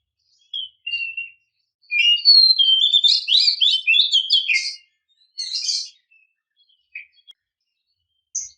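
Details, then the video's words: A female Oriental magpie-robin calls to provoke males: a few short isolated notes, then a dense three-second burst of varied whistles and harsh notes, followed by scattered single chirps. "kicau burung kacer memanggil - pancingan kacer agar bunyi"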